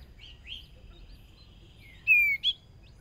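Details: Hwamei decoy bird, newly brought out, practising for the first time in a small sparring cage: a faint rising whistle, a long thin held tone, then two loud, clear downward-slurred whistles near the end.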